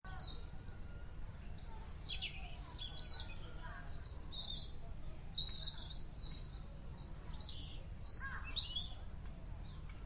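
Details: Birdsong recorded at Furzey Gardens: scattered high, sharp chirps and short warbled phrases from several birds over a steady low rumble of background noise.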